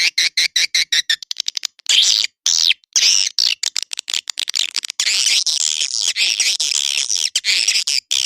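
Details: Lure call for swiftlet houses, edible-nest swiftlet: opens with an evenly spaced train of dry clicks, then shifts to long stretches of dense, buzzy high-pitched twittering.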